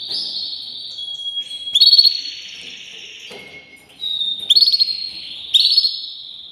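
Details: Canary singing long high rolling trills that run on for seconds, broken by brief pure whistled tones and sharp bursts of rapid pulsed notes, with faint low background noise.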